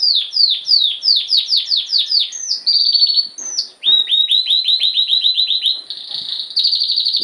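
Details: Canary song: loud, fast trills of repeated downslurred whistled notes, shifting between several rapid tours, some flat buzzy rolls, continuous throughout with no other sounds.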